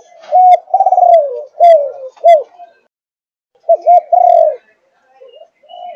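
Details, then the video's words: Malaysian-line spotted dove, 5.5 months old, cooing in thúc gù style: clipped, low coo notes, with a rolling, stuttered note and a falling drawn-out coo, then a pause and another short coo group. "Cu Gáy Malaysia Dòng Thúc Gù 5,5 Tháng Tuổi"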